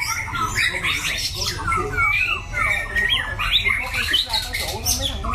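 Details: White-rumped shama, a competition cage bird with a loud, harsh, varied voice, sings a dense run of whistled slurs and chattering notes mid-to-high, with steady low rumble underneath.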